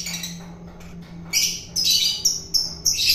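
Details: Long-tailed shrike taken from the wild, fed by hand to tame it, giving a quick run of raspy, high chattering squawks after a quiet start with a low hum.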